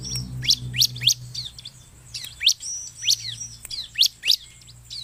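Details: Bar-winged prinia in lively song used to lure birds: scattered sharp high chirps and short downslurred whistles, with a low mechanical hum at the start.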